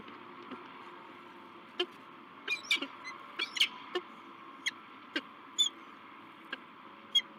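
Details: Male and new female peregrine falcons meeting at their nest site, La Crescent, USA, 16 March 2023: a rapid, irregular series of sharp, clipped harmonic calls, some doubled, over steady electrical-sounding hum.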